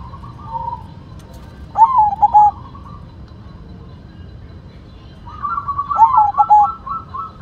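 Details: Singing white zebra dove gives two bursts of rolling coos, each a quick stuttering series of soft, hollow, falling notes, separated by a quiet pause with faint background hum.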